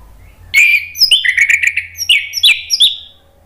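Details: Orange-headed thrush song used as a lure to prompt captive birds to sing: a rich, rapid phrase of clear whistles and sharp slurred notes lasting about three seconds, with a faint low hum.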